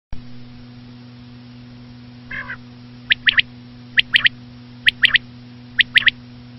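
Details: Common quail calling: a short rasping nasal burst, then four sharp three-note phrases repeated about every second, each note clipped and high. A steady low electrical hum runs throughout.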